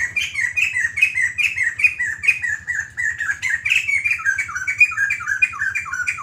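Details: White-crested laughingthrush in full continuous song, rapid rhythmic chain of harsh, ringing notes, each a short slur, repeated several times a second throughout, over a quiet low hum.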